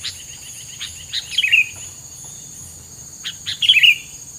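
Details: A bird sings its filler song: a row of small ticking notes leading into bright warbled whistles, then a pause and a second similar phrase, over a continuous high background tone.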